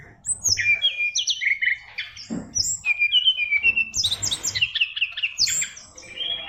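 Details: Caged oriental magpie-robin of the SRDC Fighter type, kept for songbird contests, singing a song packed with varied fill-in phrases: fast, clear whistled notes, sharp high slurs and rapid chattering bursts in quick succession, with faint low background noise.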